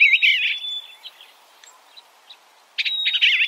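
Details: Eastern bluebird: a warbled, wavering phrase with a held high whistle, then a near-silent gap of about two seconds before another burst of twisting notes.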